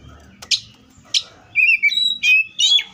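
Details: Wild Oriental magpie-robin: two sharp chirps, then a flowing string of clear whistled notes that glide between pitches. Low background rumble is present.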